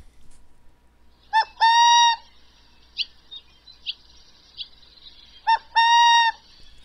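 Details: Burrowing owl (Athene cunicularia) typical hoot or "coo-coo" call: a short note then a longer, steady, mellow coo, given twice about four seconds apart, with a few faint brief higher notes between.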